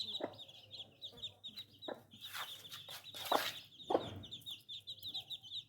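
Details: Newborn chicks cheeping shrilly and continuously, while several noisy scuffling bursts and thumps break in around the middle.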